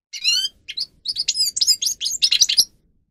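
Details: Short burst of grey-crowned goldfinch (Carduelis caniceps) song, from a captive singer used to train birds: an opening buzzy trill followed by quick sharp twittering notes, then silence.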